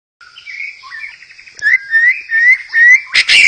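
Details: White-rumped shama song played to stir other shamas into singing: soft whistled notes, then loud, clear rising whistles repeated about every half second, ending in a brief harsh burst.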